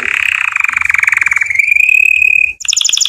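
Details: Singing canary for training young birds: a rapid pulsing roll that smooths into a clear steady whistle, then a sudden switch to a high, quick, stuttering trill.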